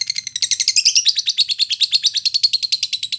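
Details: Training recording of a timi lovebird for contest fighter-class birds: a fast buzzy chatter of bright high notes, pitch jumping up early then holding steady in a dense, regular trill.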